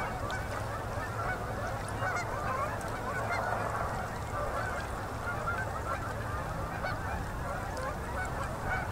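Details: Sunset on a Manitoba river, October 2018, as a great concentration of migrating Canada geese comes in to land. Thick, unbroken babble of honks from many birds over low background rumble.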